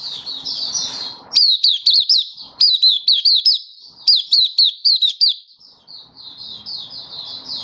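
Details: Malaysian mata puteh (white-eye) singing in warm sunshine in Singapore, 20 March 2023, in open 'buka' style. Groups of loud, high, clipped chirps alternate with quieter rambling twitter, with faint background noise in the pauses.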